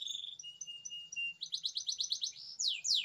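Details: Long canary song for training young canaries: a drawn-out flat whistle, then a rapid stutter of pulsed notes and two loud downward sweeps at the end.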